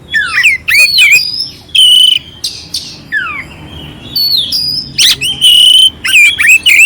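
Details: Song of an oriental magpie-robin with coarse fill-ins, intended to raise the mood of a listless bird: sharp descending whistles, steady pure notes and buzzy rasps, separated by short gaps.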